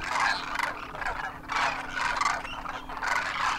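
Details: Demoiselle Cranes, adults and juveniles on their first Indian winter in Rajasthan, take off in great numbers; bursts of rolling, croaking trumpet calls come in swelling waves roughly every second, separated by short quieter gaps.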